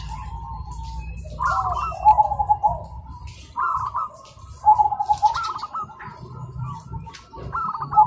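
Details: Zebra doves cooing in the morning, answering each other: repeated phrases of stuttered notes ending in soft rolling trills, roughly every two seconds, with low background rumble.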